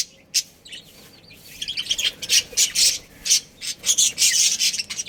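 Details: Chattering budgerigar colony, a family group with breeding pairs: dense run of high scratchy chirps and squawks that grows busier after the first second and pulses in short clustered bursts.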